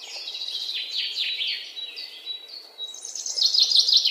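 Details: Chirping birds in a busy outdoor chorus: overlapping high descending twitters and rapid chips, growing louder near the end over constant background hiss.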